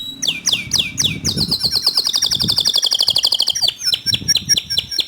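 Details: Canary singing to provoke other canaries into full song: several sharp down-slurred whistles, then a fast even high trill for over two seconds, ending in a brief flourish of quick notes.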